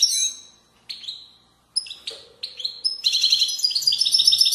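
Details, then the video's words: Goldfinch delivering widani song from Moroccan valleys, 2020: separate sharp chirps and short slurred notes with brief pauses, then a sustained run of rapid, tinkling trills; a faint low hum underneath. "تغريد ويداني أصيل من ضفاف الوديان المغربية goldfinch hason chant widaniya chardonner 2020"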